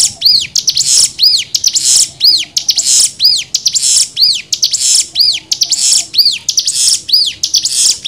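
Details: Cigun singing a repeated phrase roughly every second, one of six tutor variations for training birds: each phrase is a looping down-slurred whistle followed by a harsh buzzy burst, steady and rhythmic throughout.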